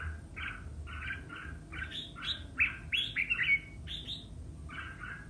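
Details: Red-whiskered bulbul in a singing contest: mellow chirped phrases quicken into a bright, excited burst of high whistled notes, then calmer warbles, with low hum beneath.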